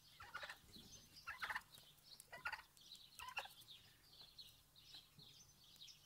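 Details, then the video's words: Several farm turkeys outdoors gobble in rapid, rattling bursts about once a second, overlapping one another, with light outdoor background noise. "Sound turkeys"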